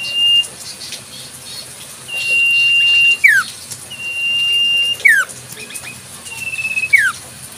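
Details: Wild Common Iora whistling steadily: held high notes ending in falling slurs, repeated several times, with soft rustling behind.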